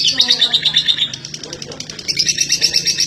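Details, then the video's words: Long-singing female lovebird from East Lampung, Indonesia, gives rapid, shrill chattering chirps that pulse quickly, falter briefly midway, then resume at full intensity, with a soft low background hum. "Lovebird betina durasi"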